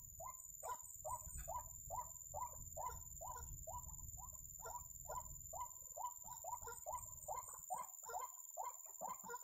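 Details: A white-breasted waterhen near a trap repeats hoarse, rising croaks at a steady pace, a bit more than two per second for nearly ten seconds, over low hum and a thin high whine.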